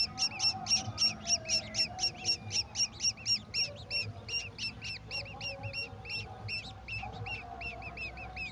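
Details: Golden oriole with a mantis for its babies; a long run of strident repeated chirps, about four per second, loud at first then softer, over a soft droning background.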